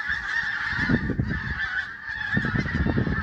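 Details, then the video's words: A flock of geese at sunrise in Prestatyn, calling together in a dense, continuous chorus of nasal honks that overlap without pause, with low rumbling wind or handling noise underneath. "Flock of Geese (Birds) at Sunrise"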